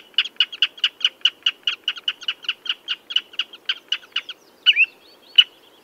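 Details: Redshank calling in a brisk, regular chain of short, shrill notes that thins out near the end, where a few drawn-out, twisting whistles and isolated single notes follow.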